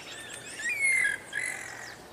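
A Guira cuckoo gives two drawn-out, whistled notes, the first slightly rising, with fainter high chirps from other birds behind.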